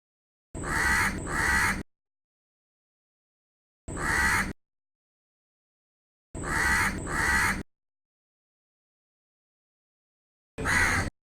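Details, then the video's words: Crow perched in a tree, cawing in uneven bursts: a harsh double caw, then a single, another double and a final single caw, separated by silent pauses of two to three seconds. "crow call live from the tree"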